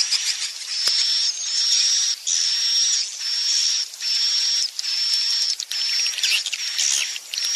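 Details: Swiftlet overnight lure sound, meant to make young swiftlets settle and stay in a swiftlet house; dense high chirping chatter with a thin steady whistle tone repeated about once a second, short gaps between bursts.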